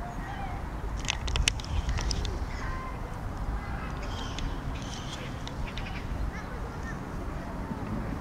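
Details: Great crested grebes in a territorial interaction, a breeding-plumaged intruder in the territory of two winter-plumaged grebes, with an approach and a chase: harsh, rattling bursts of calls in two spells, strongest early, over a low rumble of wind and water.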